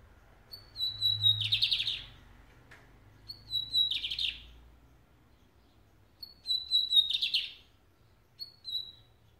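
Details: Lined seedeater song: a high, thin whistled note sliding slightly down, then a rapid buzzy trill, the phrase repeated three times with short pauses and a fourth whistle at the end.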